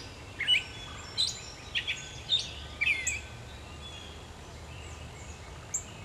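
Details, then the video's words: Gray catbird singing at dawn in July in Pennsylvania: a jumbled run of short, varied notes, squeaky, chipped and slurred, given in quick bursts, then a pause with a faint high note near the end over steady background hiss. "Gray Catbird song at dawn."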